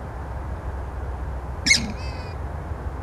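A purple swamphen gives one harsh, nasal squawk that trails into a brief, thinner tail, over a steady low rumble of background noise.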